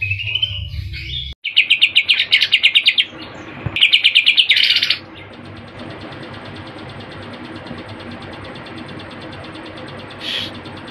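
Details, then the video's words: Greater green leafbird singing with a full repertoire of mimicked phrases, here fast rattling trills of rapid repeated notes in two bursts of about one and a half seconds each, followed by quiet background hiss. "Cucak Ijo Gacor Full Isian Tembakan Kapas Tembak dan Cililin"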